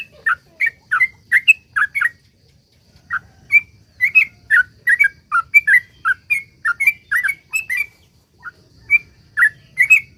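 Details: Sooty-headed bulbul in vigorous, long rapid song (ropel panjang) used as a lure to get other bulbuls singing: bubbly, fluty chirps in quick clusters with short gaps, then a pause near three seconds before resuming.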